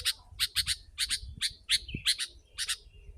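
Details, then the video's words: Sooty-headed bulbul used to lure wild birds, calling in a dense, excited burst: harsh, bright chirps in twos and threes, with a short whistled note in the middle and low background rumble. "Kutilang si.ladusing super gacor suara rapat menekan burung liar"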